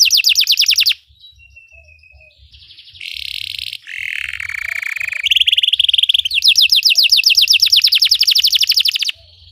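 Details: Belgian canary singing to train other canaries: quick falling notes, a pause with a thin whistle, then varied buzzy and nasal trills at different pitches, ending in a long run of rapid descending notes.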